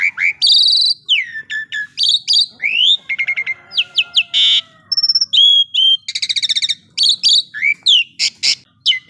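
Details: Vigorous song of an Asian pied starling, mixing bright upslurred whistles, downward sweeps, grating noisy rasps and quick repeated clicking trills in a nonstop, loud and varied sequence.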